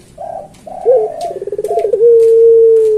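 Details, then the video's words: Puter pelung turtle dove song used to train other pelung doves. Soft throaty notes give way to a brisk pulsed trill, which settles into a long steady coo held for about a second. "Suara Burung Puter Pelung Masteran"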